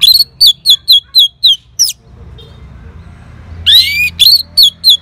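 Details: Responding to a lure sound, an Orange-headed thrush gives a rapid run of six or seven clipped whistled notes, a pause, then a swooping phrase and more quick notes.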